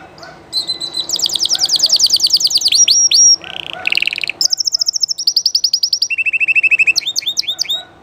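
Spanish Llarguet canary singing a long, varied song of fast high trills and rolling repeated notes, switching phrases every second or two, with no other sounds.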